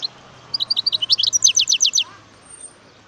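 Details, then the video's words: European goldfinch in the wild: a few evenly spaced high chirps leading into a rapid bright sequence of falling notes, about four per second, then quiet. "اسمع صوت الحسون البري"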